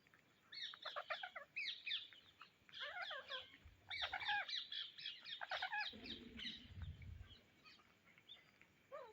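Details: Indian ringneck parrots searching for seeds make distant-sounding clusters of harsh, chattering squawks. A low rumbling noise is heard midway through.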